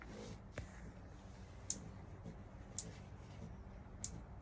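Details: Anna's hummingbird, a male feeding on a winter morning, gives three sharp, very high chirping chips about a second apart over a low background hum; owner suspects the same bird returns daily all winter.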